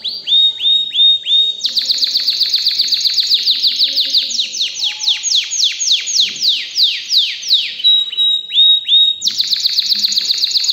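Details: Excited canary singing loud, high rolling tours: first a few short repeated notes, then long runs of rapid descending sweeps, several per second, ending in a brief whistle and a fresh fast trill.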